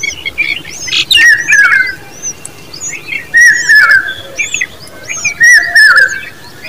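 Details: Common babbler babies uttering loud, strained, slightly buzzy calls in clusters every two to three seconds, with faint chirping from other birds between them.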